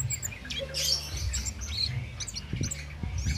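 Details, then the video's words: Cit keres bird singing, no stimulants given, as a master recording for songbird training. Quick high chirps and a short twittered phrase sound over steady low hum and soft taps. "Tanpa Doping Ngalas Tiada Henti/Cabe Cabean/Cit Keres Nembak Buat Masteran"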